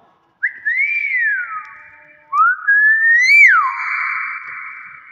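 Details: Hill myna kept as a talking, greeting-imitating bird, giving two long clear whistles: the first rises then slides down, the second climbs to a peak and drops into a steady, slightly rough sustained tone.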